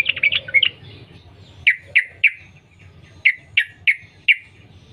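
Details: Yellow-vented bulbul in the wild, a lure to make bulbuls sing: a quick burst of bubbly notes, then loud, sharp, downslurred single notes spaced about a third of a second to a second apart.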